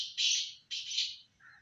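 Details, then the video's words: Two loud, hoarse, grating syllables from a black francolin, close together, followed by a faint softer note. "Kala teeter vice"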